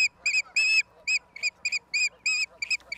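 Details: Osprey at its nest in Charlo, Montana, USA, on April 26, 2022, captured by a live nest camera: a rapid series of loud, clear whistled chirps, each one short and bright, about a dozen in three seconds with uneven gaps.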